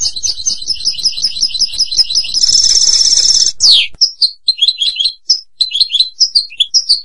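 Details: European goldfinch song opening with a fast, evenly repeated rolling trill, then a sustained buzzy rattle and a sharp downward sweep, followed by scattered tinkling chirps.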